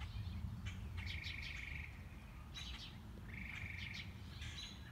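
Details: Mockingbird singing on a morning walk, cycling its repertoire: two long, fast dry trills at an even pitch, separated by sharp clustered chirps, over low background noise.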